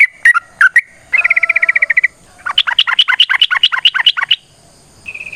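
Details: Yellow-vented bulbul, long 'ropel' fighting song meant to provoke answers: a few bubbly whistles, then a fast even trill of about twelve notes, then a longer rapid chattering run of some twenty sharp notes, ending on a brief steady whistle.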